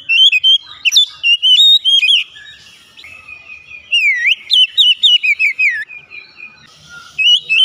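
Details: Loud whistled song of an Oriental magpie-robin, with rapid bursts of sharp, swooping notes, a deep downward-then-upward slur near the middle and a brief quieter pause before renewed clear phrases.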